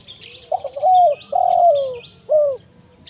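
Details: Spotted dove phrase in the 'kuk 1 mersik' voice, used for attracting wild birds in the forest: rough opening, smooth coo, long falling coo, short clipped ending, with buzzy high chirping from other small birds throughout.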